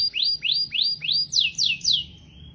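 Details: Canary singing a series of rising whistled upslurs, then three rapid descending sweeps, each note repeated about every third of a second, bright and high.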